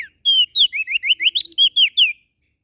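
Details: Prenjak daun, a prinia from Lombok in NTB, giving one clean, rapid phrase of about eleven loud, bright, bouncing whistled notes lasting two seconds.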